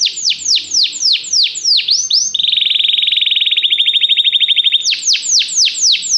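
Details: Canary song used as training to prompt a canary to sing: loud clean phrases of fast downward-sweeping whistles, then a long rapid trill on one pitch, then sweeping notes again.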